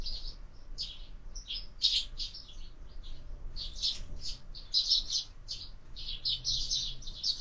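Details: Sparrows breakfasting at a window-mounted bird feeder, chirping continuously in lively overlapping bursts of high short notes from several birds.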